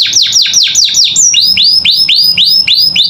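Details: Vigorous canary master song used to train captive songbirds: quick, high downslurred notes give way to a series of bright, upward-swooping whistles, each about a fifth of a second apart, loud and clear throughout.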